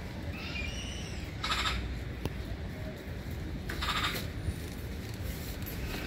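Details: Black-billed magpie calling with two separated raspy, broadband chack notes a little over two seconds apart, set against constant low wind-like rumble.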